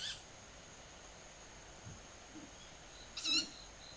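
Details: Owl calling from the air above a home garden on an early summer evening, 20 July around 19:40, about five birds moving tens of metres up; two brief, shrill, hoarse screeches with layered harmonics, at the start and near the end, quiet background otherwise.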